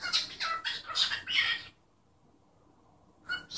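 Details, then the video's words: Pet cockatiel chattering in a rapid string of raspy, squawky syllables lasting over a second, then falling silent before another short burst begins, with a soft room hum beneath. "Calopsita falando e espirrando"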